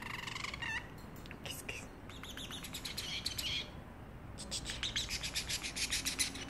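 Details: A caged pet parrotlet meowing like a cat: a drawn-out, nasal, meow-like note, then clicks and bright chirps, ending in a fast run of sharp, high tweets.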